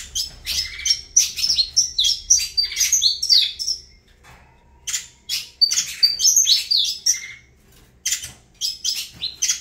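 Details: Saffron finch pouring out rapid, twittering high notes and quick whistled slides in two energetic bursts separated by a brief quiet pause, then a final flurry of sharp chirps.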